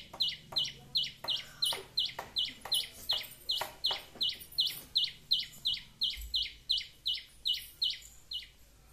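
A sunbird gives sharp, high, metallic chips, about three a second in a steady run, over faint low background hum.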